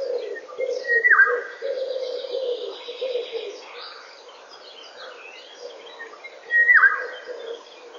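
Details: Eurasian golden oriole singing at 08:15 in the morning on 19 May 2013, picked up by a forest webcam: two loud, fluted, slurred phrases several seconds apart, over a continuous low pulsing cooing from another bird.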